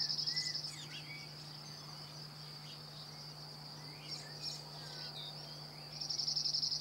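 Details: French cirl bunting singing: the tail of a quick dry trill at the start and another fast rattling trill beginning near the end, separated by quiet scattered chirps, over a steady high-pitched drone and low hum.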